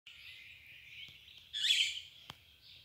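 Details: At dawn, a high, thin bird song holds steady and swells into a louder, brighter burst of notes near the middle, over a faint low hum.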